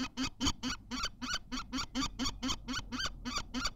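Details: Kestrel at a Théding nest on 14 May 2023, while an egg is laid: steady run of loud, rasping notes, roughly four each second, each with a short low tap at its start.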